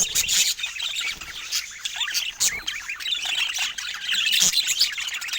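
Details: Budgerigars, described as rare, filmed in natural Scandinavian light: dense high chattering with squawks and chirps overlapping throughout, several birds calling at once, no talk or music.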